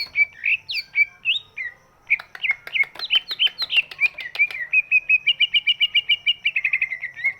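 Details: Greater green leafbird, big-bodied, singing a song meant to spur birds that are slow to sing; varied looping whistles and quick chirps give way to a fast, even trill of repeated notes.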